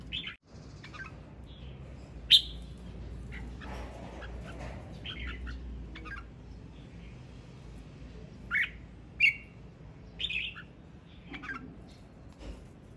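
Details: Red-whiskered bulbul male in song, delivering scattered bright whistled notes and short warbling phrases over some thirteen seconds, loudest bursts around the middle and end, with gaps of quiet and a low steady hum beneath.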